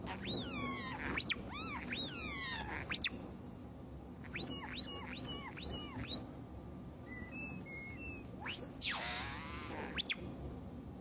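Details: Common starling (Sturnus vulgaris) mimicking the R2-D2 droid from Star Wars with robot-like electronic bleeps: rapid rising and falling whistled sweeps, short chirps and a rasping burst, over a low background hum.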